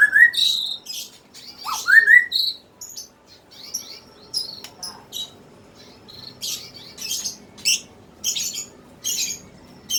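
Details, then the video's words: Muda Hutan, a young bird from 2016, opens with two bright rising whistled slurs followed by buzzy notes, then a run of short high sharp chips spaced about half a second apart. "" GIMBAL " Muda Hutan angkatan 2016"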